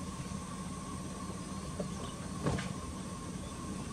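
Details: Dull mechanical rumble and a steady hum with a single sharp knock midway, and no animal voice heard.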